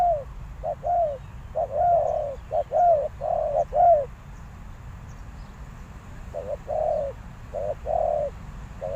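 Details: Decoy spotted dove cooing to lure wild doves: two bursts of repeated mellow hoots, short notes mixed with longer slightly falling ones, separated by a quiet pause of about two seconds.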